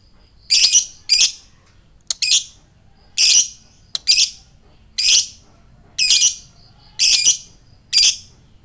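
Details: Fighter lovebird uttering its ngekek call, used to provoke a quick response from other lovebirds: harsh, buzzy chattering bursts, roughly one per second in paired clusters, about nine bursts, with a faint hum underneath.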